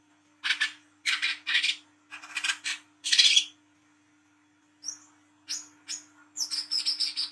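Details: Olive-backed sunbird ('wiceh trotol') giving its 'ngriwik' song at night as a catching lure: a run of rasping chattery bursts, then thin high whistled notes and a fast jangling high trill at the end, with a low steady hum.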